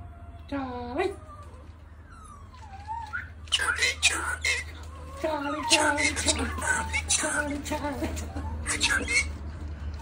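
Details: A pet Australian galah cockatoo swears in a harsh, scratchy imitation of a human voice, in quick clipped bursts, while people talk nearby and tell it to get off the table, over a steady low hum.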